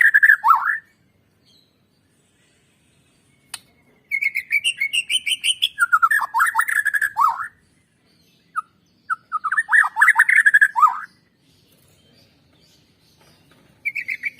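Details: White-rumped shama song used as a recording to stimulate birds to sing: loud bursts of rapid varied whistles and slurred notes separated by silent gaps of a few seconds.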